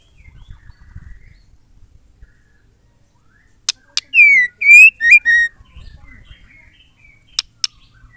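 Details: Female white-rumped shama, used to stir males into singing, gives a brief burst of four ringing whistles midway through a quiet stretch, framed by sharp clicks and soft low rustling.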